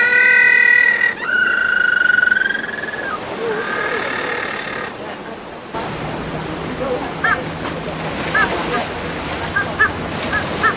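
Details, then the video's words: Little penguins at the Manly colony (about 50 breeding pairs), 2007: loud, drawn-out harmonic braying notes with a sharp upward slide, then softer short chirps over a noisy background; possibly calling the other penguins. "So, I think he's calling the other penguins, maybe."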